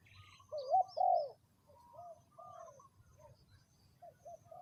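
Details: A ground-decoy spotted dove, third round, utters two strong rolling coos in quick succession, followed by softer distant dove coos and a few thin high chirps.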